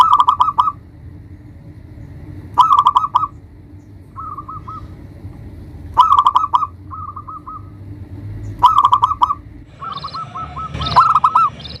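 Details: Zebra dove of local stock used as a lure to provoke rivals: short trilled bursts repeating roughly every two to three seconds, some softer lone runs between, with a noisy rustle near the end.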